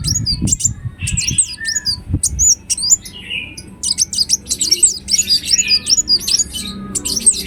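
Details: Ruby-cheeked sunbird in busy gacor song meant as a lure: scattered high chirps building into a dense, quick chatter of squeaky twittering notes, with a couple of low knocks early on.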